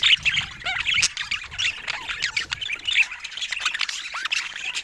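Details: Pet budgerigars playing together, a group giving dense, scratchy warbling chatter with quick squeaky notes and short rising chirps tumbling over one another without pause.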